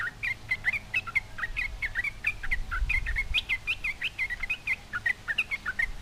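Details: Sooty-headed bulbul taunting a rival and drawing answers from other bulbuls; clear, quick chirped notes with small upward flicks, repeated rapidly in a lively, continuous chatter.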